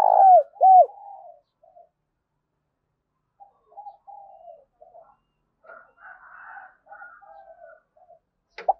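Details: Spotted dove used as a decoy, calling to draw others in. Two loud arched coos open the clip, followed by several softer, quieter coo phrases spread over the next seconds.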